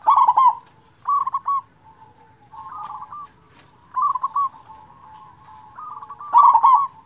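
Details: Zebra dove of a local strain, played to lure lazy-singing doves and raise their breeding drive; loud rippling trilled coo phrases start and end the clip, with quieter stuttering coos held between them.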